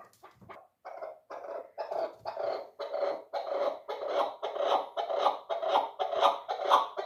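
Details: Three-year-old hunting chukar partridge, described as a 'dulan' chukar, giving a building series of harsh clucking notes, about two per second, growing louder and fuller as the series goes on.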